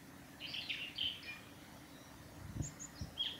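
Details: Japanese tit recorded on 28 March 2020 along the Hayatogawa forest road by Lake Miyagase, Japan: a few high, thin whistled notes in short bursts, fairly distant, with faint low thumps and background hum.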